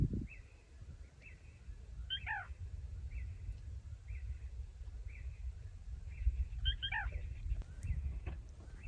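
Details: Black Rail, an endangered New Jersey breeder, heard at night at last year's site and recorded on a phone. Short high notes recur roughly every half second, broken by two louder, richer bursts, over a steady low background rumble.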